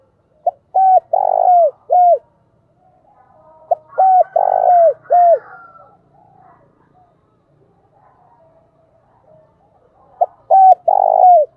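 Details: Decoy spotted dove cooing loudly to draw wild doves: three bursts of four or five mellow hooting coos, each coo bending downward, repeated about every three seconds with quiet gaps between.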